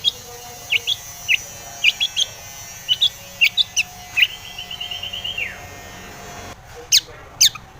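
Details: Scattered sharp high chips from a Long-tailed shrike singing to provoke rivals, followed by a short even trill that drops at its end, then a few more clipped notes after a pause.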